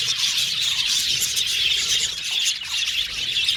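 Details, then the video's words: Aviary budgie colony chattering constantly, many birds calling at once in a bright, busy wash of chirps and short squeaky notes that never pause. "Budgies Birds Natural Sound | Budgies Chirping Sound | Budgies Singing Sound"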